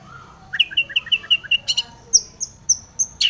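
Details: Long-tailed shrike in full song with tomiceng fill-in, meant to provoke shrikes to sing; a steady string of clear, high whistled notes repeated about five per second, followed by higher, more spaced notes.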